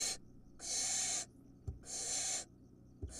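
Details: Wild barn owls at feeding time, recorded in the nest. Harsh, broadband hissing screeches about 0.7 seconds long, repeated roughly every second with short gaps, a faint knock between them.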